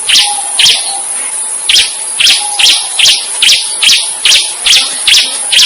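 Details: Bar-winged prinia (ciblek) singing vigorously: a string of bright, rough notes repeated a little over twice per second, each a short burst. A steady faint high whine and a low hum run through the background.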